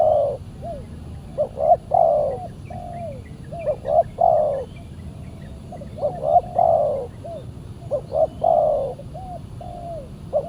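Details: Spotted doves heard while a fierce wild bird answers a decoy on a Saturday. A lively run of coo phrases: brief double notes, a long warbling coo and small falling tails, repeating several times over faint low noise.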